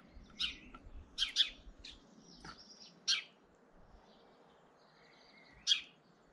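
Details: In early April a European goldfinch tries to intimidate a rival goldfinch, giving short, bright, high-pitched chirps in irregular bursts, some paired, with a faint thin whistle between them and quiet background.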